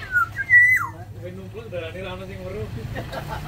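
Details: Caged Sumbawa black-naped oriole in an aviary gives a brief fluty whistle that rises, holds and drops, followed by faint voices and low background hum.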